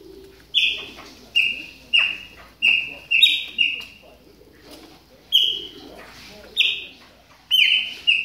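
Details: A Chopi blackbird warming up while moulting gives crisp, piping whistled notes in an uneven series, a few doubled, separated by pauses of about a second, over a quiet background.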